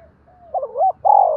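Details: Spotted dove of the 'giọng đồng' (bronze voice) style, used as a lure to provoke wild 'giọng thổ' doves: short mellow coos, a low soft note, then a wavering phrase and a loud held final coo, in a quiet background.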